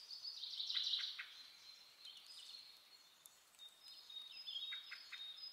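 European greenfinch singing faint, high twittering trills with a thin, drawn-out wheezy note, in two loose bursts against a soft outdoor hiss.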